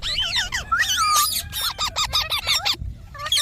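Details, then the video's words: Ringneck parrot chattering: rapid, bending squeaky notes follow one another almost without pause, with a brief silence near the end. "Parrot Talking |Ringneck parrot sound"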